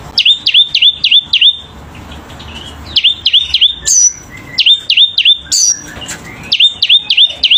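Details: Selendang biru bird in full vigorous song: groups of four or five sharp downslurred whistles repeated in quick bursts, separated by short pauses, with occasional high thin whistles between groups.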